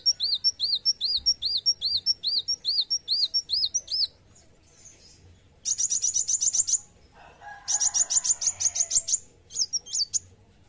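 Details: High-pitched song of an Olive-backed sunbird in fighting mood: a steady string of quick descending chip notes, then after a pause two rapid buzzy trills of clipped ticks and a short twittering squeak at the end.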